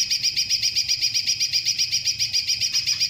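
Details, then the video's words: Rolling kingfisher-mimic shots from a greater green leafbird in a long 'tembakan panjang' burst: shrill, evenly spaced notes, close to four per second, continuous and very regular across the whole stretch. "cucak ijo tembakan panjang"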